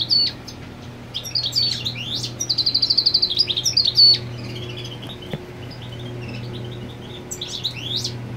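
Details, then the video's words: European goldfinch male marking territory while the female sits on the nest; a fast, tinkling twitter of varied high notes with a buzzy, evenly pulsed trill in the middle, ending in sharp rising chirps, over a steady low hum. "Jilguero Marcando Territorio con Hembra en el Nido"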